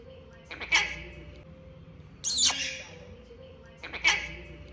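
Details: A pet red-collared lorikeet in conversation with its owner, who asks if it loves them. It gives three harsh, high-pitched screechy squawks about 1.5 seconds apart, with a person's voice faint behind.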